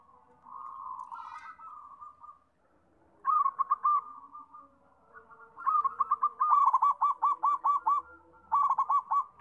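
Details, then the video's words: Zebra dove song starts with a soft drawn-out coo. Crisp bursts of rapid, evenly spaced staccato notes follow, and the longest run has about ten quick pulses in a bright, ticking rhythm. "PERKUTUT SUPER GACOR, BIKIN RAME"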